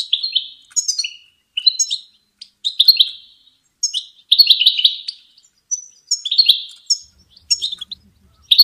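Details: Goldfinch singing for songbird training: lively, nearly continuous twittering with quick liquid phrases, high sharp tinkles and short buzzy notes, repeated in close succession.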